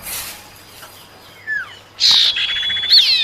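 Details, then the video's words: Female common iora calling the male, recorded as a lure sound: faint thin whistles and a short downslurred note, then a loud harsh burst with a long level whistle and a final sharp rising note. "suara pancingan burung cipau betina panggil jantan"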